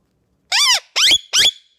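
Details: Two-year-old male Indian ringneck parakeet, a pet chattering at the camera indoors: three loud, squawky, speech-like syllables, each a quarter second long with a rising-falling tone, the last ending in a thin whistle.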